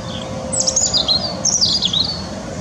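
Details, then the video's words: European robin (Erithacus rubecula) singing at Teddington Lock, UK, recorded handheld on a Nikon P900 in wind: thin, very high warbled phrases that slide up and down, two bursts separated by a short pause, over low wind rumble and a steady hum. "European Robin (Erithacus rubecula) Song"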